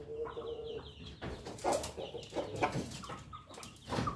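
A laughing-chicken rooster crows, opening with a drawn-out tone and breaking into choppy, stuttering notes like cackling laughter, over faint background noise.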